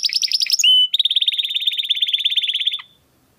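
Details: Crystal-voice domestic canary song used to train competition birds: a choppy high phrase, a pure sustained whistle, then a long fast even trill that stops abruptly.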